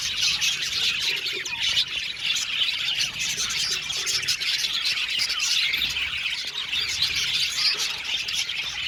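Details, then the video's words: Many budgies in an aviary singing at once, a dense, even stream of high twittering, grating chatter and occasional clear squeaks. "Beautiful budgies singing sound | budgies chirping sound"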